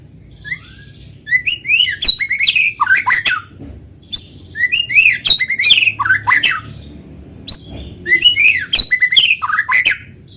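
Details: White-rumped shama song played to lure other shamas into singing: dense, loud phrases of rapid whistles, sharp chips and downslurred notes, repeated in three bursts separated by short pauses.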